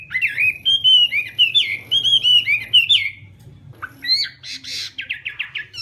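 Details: Chinese hwamei singing in a morning practice session: loud, rich whistled phrases sliding up and down, repeated rapidly for three seconds, then a pause and a burst of fast harsh trilled notes.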